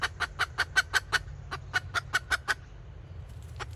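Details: Decoy red junglefowl hen in kataak calling style, recorded 2024. Rapid clipped clucks, about seven in just over a second, a short break, then five more evenly spaced clucks before fading. A steady low hum runs beneath.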